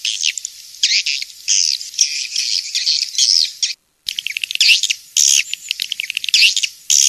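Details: Swiftlet calls of the 'King's Star' type, for swiftlet farming: sustained high twittering bursts with rolling, warbled chirps, a brief total silence near four seconds, then more twitters mixed with clicks.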